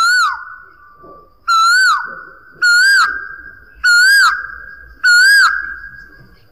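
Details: Asian koel (Eudynamys scolopaceus), call.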